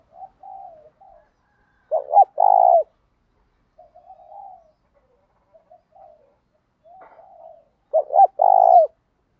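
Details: Spotted dove used as a decoy, cooing in the 'thúc gáy' calling style for training: quiet breathy murmurs punctuated twice by loud deep phrases of short notes leading into a drawn-out throbbing coo.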